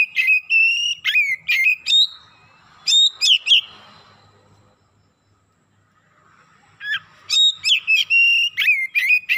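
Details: Oriental magpie-robin, agitated and pouring out its repertoire: bursts of fast whistled notes and sharp chips, then a pause of about three seconds before another dense burst of bright whistles.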